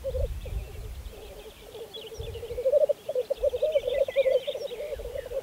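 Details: Spring 2014 black grouse lek on Saaremaa, Estonia. Continuous murmuring, bubbling coos pulse in quick waves and swell louder in the second half, with fainter higher chatter above and occasional low thuds.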